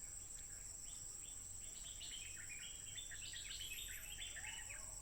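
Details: A wild Stripe-throated Bulbul, recorded on a smartphone on 15 June 2021 and calling nonstop, sings a busy, bubbly song of quick chattering notes, several a second, over a steady high insect drone and low rumble.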